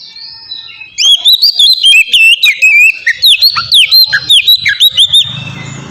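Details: Ngeplong-style oriental magpie-robin song meant to prompt captive birds to sing. After a quiet second, a burst of loud, clear whistles and quick downward-swooping notes repeats about twice a second, then stops abruptly.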